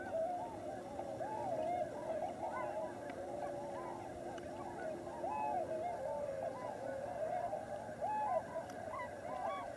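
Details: A large wintering flock of tundra swans at Lower Klamath National Wildlife Refuge on the Oregon/California border calls without pause, a dense chorus of mellow, high, whooping hoots overlapping, with a low steady hum beneath.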